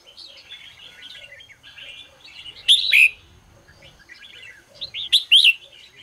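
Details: Red-whiskered bulbul in morning song practice: quiet twittering throughout, broken by a loud rich whistled phrase near three seconds and a second cluster of strong notes after five seconds.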